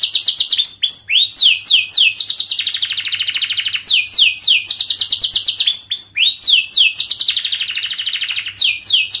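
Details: Young canaries in training are played this canary song: alternating phrases of fast, repeated downward-sweeping whistles and dense high rolling trills, cycling continuously over about nine seconds.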